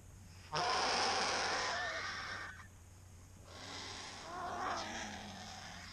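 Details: Cinereous vultures feeding on a fresh mare carcass in Segovia, Spain; one gives a loud, harsh, breathy hiss lasting about two seconds, then a fainter wheezing rasp, over a low steady hum.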